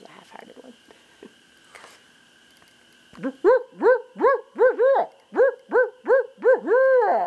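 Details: Barred owl responding after being called in by a person: three seconds of faint background, then a quick string of loud arched hoots, some paired, ending in a long sustained wavering note.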